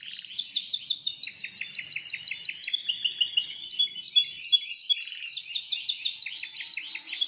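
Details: Fast repeated trills from a Belgian canary, two long rolling runs of sharp notes around a high whistled chatter in the middle.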